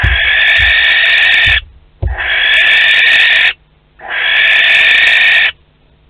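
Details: Three evenly spaced, drawn-out hissing screeches, each about one and a half seconds long, from a barn owl pair visiting their nest box at Théding on 12 May 2020.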